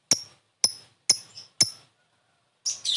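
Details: Lovebird ngetik calling, a lure for quick response: four crisp, sharp high ticks evenly spaced about half a second apart, then a brief harsh rasping call.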